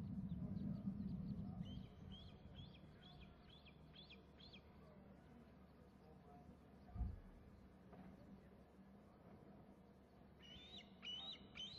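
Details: Eaglet calling as it flies near the nest and then heads inland, with another eaglet also heard; a run of high, arched, squealing notes in quick series, a pause, then another burst, over steady low rumble and a brief thump.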